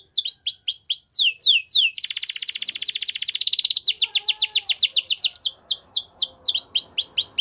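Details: Song of a male Belgian canary: fast repeated down-slurred notes, then a long harsh rolling trill of nearly two seconds, followed by more rapid swept whistles, with faint lower chatter.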